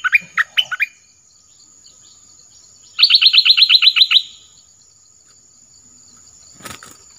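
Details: Orange-headed thrush song of the southern type, used to lure wild birds and train young birds: a few quick whistled phrases, a pause, then a fast buzzy trill of about ten even notes, and a faint click near the end.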